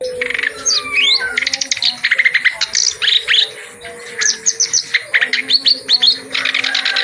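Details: Clamorous reed warbler singing vigorously with a full-repertoire song, used as a tutor recording for other reed warblers that sing little. Dense chattering bursts of rapid repeated notes and sharp rising whistles follow one another. Steady low tones sound underneath.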